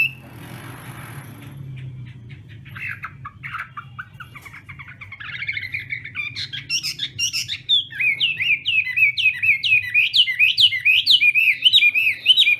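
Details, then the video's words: Chinese hwamei in a morning contest-style song: a quiet, scratchy start builds to loud, rapid whistled notes repeated about twice a second, each a sharp up-and-down warble. "Hoạ Mi Hót Đấu /hoạ mi hót sáng luyện giọng kich bổi sổ giọng chim hót hay mỗi ngày/"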